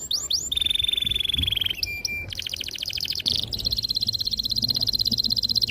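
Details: Canary training song for young birds: a few whistled slurs open into a long steady buzz, then sustained rapid trills rolling on without pause.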